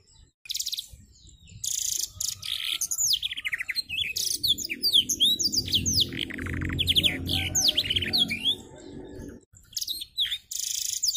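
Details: Canary learning black-throated canary song, wings spread; high chattering trills and whistled slurs in bursts, over a low hum midway and brief pauses.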